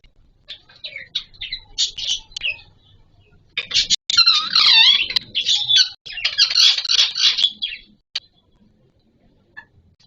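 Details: Pet green ringneck parakeet in mating time as the breeding season begins, making loud, continuous harsh screeches and chattering squawks, broken by short pauses, with a long intense stretch in the middle.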